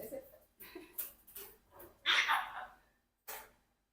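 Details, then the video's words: A 4-year-old pet Congo African grey parrot, playing and talking to ice, mutters short speech-like phrases, then a loud, bright squawky burst, with a few sharp clicks in a small indoor room. "Parrot Rocky Playing and Talking to Ice"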